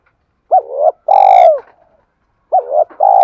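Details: Spotted dove cooing, used to provoke other doves to coo: low mellow hooting coos in short phrases, a rising-falling note then a longer held one, repeated after a two-second pause, in quiet surroundings.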